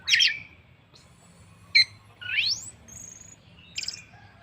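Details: Orange-headed thrush song used to prompt other birds: a loud burst of notes, a sharp chip, a long rising sweep, a thin high whistle and a final cluster of high notes.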